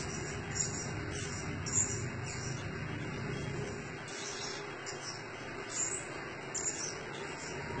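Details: A blue-crowned hanging parrot, used as a decoy call, gives thin, very high squeaky chirps at irregular intervals over a steady insect drone and low background rumble.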